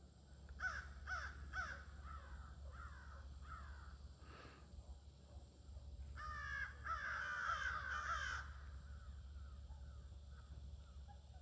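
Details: Crows at a near-evening gathering on 22 August 2026 give harsh caws: three quick calls early on, scattered fainter ones, then a louder, overlapping burst of several birds, over a steady low hum and a thin high whine.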